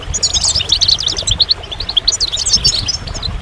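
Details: Goldfinch giving a lively, tumbling twitter: bright, rapid high notes and short slurs packed closely together, rising and falling in a continuous liquid chatter for the whole few seconds.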